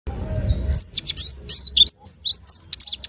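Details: Caged white-eye singing a rapid series of high, thin, twisting whistled notes after a brief low rumble at the start; notes tumble quickly with short gaps and a pause near the middle.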